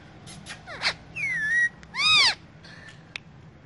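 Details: Rose-ringed parakeet, a ringneck parrot, in the morning: a few harsh squawks and a wavering whistled note, with short clicks between, over a steady low hum of room noise.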